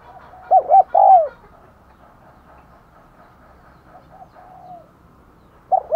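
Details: Caged decoy spotted dove luring wild birds with 'thúc gù' and 'gáy gọi' coos: one strong phrase of two short hoots and a long falling note, a faint drawn-out coo midway, and a new phrase beginning at the close.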